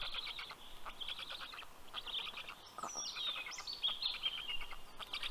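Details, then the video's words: Black stork chicks in Karula National Park, Estonia, greet the fish-bearing adult at their nest in June with raspy, clicking chatter, while thin whistled notes of small birds cut in near the middle. "Karl brings fish for all 😊Funny greeting sound by the Kids"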